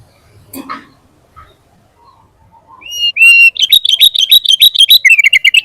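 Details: Sooty-headed bulbul singing vigorously. Faint scattered notes lead into a loud, rapid run of bright whistled notes, repeated several times a second. The song ends in quick, slightly falling phrases.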